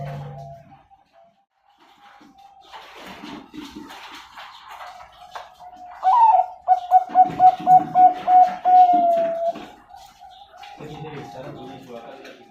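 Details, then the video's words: A farm-bred Bangkok ring zebra dove in Pasuruan, Indonesia breaks into a rapid burst of short, clipped coos lasting a few seconds, with quieter clatter and background sounds before and after. "SUARA PERKUTUT BANGKOK"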